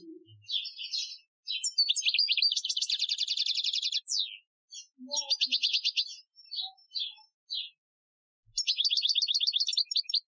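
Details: Algerian European goldfinch training song recorded 2015: several long bursts of rapid, buzzy, rattling trills mixed with twittering chirps, separated by short silences, with a final energetic trill.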